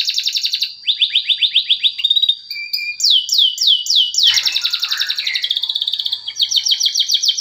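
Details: Lure song of a male canary for young birds that won't sing: dense trilled rolls, a string of slurred descending whistles repeated about every third of a second, a rough buzzy passage, then renewed rapid trilling.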